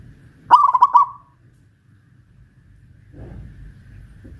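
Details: Zebra dove of local Pajajaran type, kept in a cage lifted on a pole in Kuningan, West Java, utters one quick burbling coo of several pulsed notes, followed by quiet with faint low noise.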